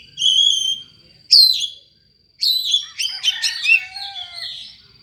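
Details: Oriental magpie-robin singing an odd, unusual song meant to provoke other magpie-robins: a sustained whistle, sharp falling notes, then a rapid jumble of varied chirps and trills over about two seconds.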